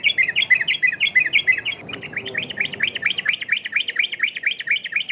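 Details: Yellow-vented bulbul varied song used as a lure to make other birds answer: fast chattering phrases of bright, looping whistled notes, repeated about three times a second, shifting pitch pattern midway, over quiet low hum.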